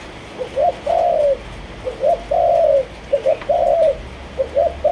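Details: Captive spotted dove of a Malaysian line cooing in measured phrases. Paired short notes rise into a longer, mellow, even coo, repeated roughly every second, with the final phrase cut short.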